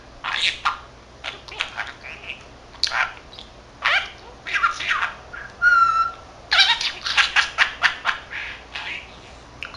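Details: A 13-month-old male budgerigar chattering alone, able to say Korean and Japanese greetings. Rapid clicky chatter and raspy bursts, with a clear pure whistled note midway, then dense fast ticking syllables.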